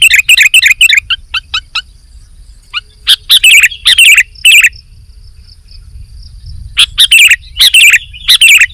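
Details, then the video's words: Sooty-headed bulbul singing: a quick opening series of ticking notes, a scattered middle, then loud bubbly warbled phrases. A steady low background hum runs throughout. "KUTILANG GACOR"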